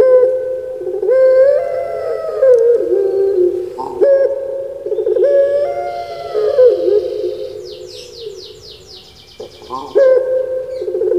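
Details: Captive Barbary dove, a domesticated African collared dove kept in Java, Indonesia, often mistaken for a person crying: loud, low, rolling coos with rising and wavering inflections, repeated in long phrases, plus a brief high rapid twittering from another bird midway.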